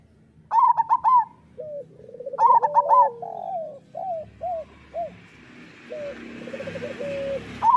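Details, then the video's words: Local zebra doves in a master recording used to make other doves sing. Two quick trilled coo bursts open, then spaced single arched coos follow, with hissy background noise and a final burst. "Perkutut lokal gacor Suara Masteran Burung Perkutut Paling Ampuh"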